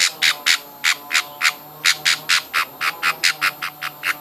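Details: Hand-fed baby budgerigars give rapid, harsh, buzzy begging squawks, about three or four per second, in a steady insistent series with little else heard.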